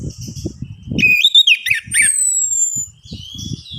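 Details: Orange-headed thrush song used to prompt a quiet bird to sing: a quick string of ringing whistled notes and a long thin falling whistle, over frequent low thumping and knocking sounds.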